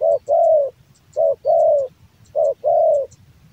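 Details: Loud, clear cooing from a male spotted dove kept as a hobby bird: three rounds, each a brief clipped note and then a drawn-out, gently descending coo, spaced about a second apart.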